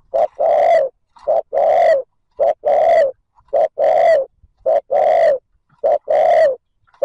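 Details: A spotted dove cooing steadily to lure wild birds. Short clipped notes alternate with longer, deep, resonant coos in a regular pattern, with about six short-long pairs repeating roughly once per second.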